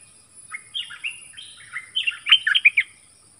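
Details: Dok taeng bird answering wild birds in a song contest, sliding whistles that start spaced out and then quicken into a dense, jumbled run of clear warbled notes.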